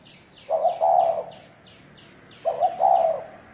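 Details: Spotted dove of the thổ đồng type in a fighting bout: two low, mellow cooing phrases, each a short stutter followed by a longer hooting note, about two seconds apart, with a faint series of high descending chirps above.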